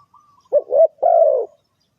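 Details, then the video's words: Spotted dove call used as a lure for bird trapping: a short low coo, a rising second note, then a long even coo, all mellow and hollow in a quiet setting. "The Suara Tekukur"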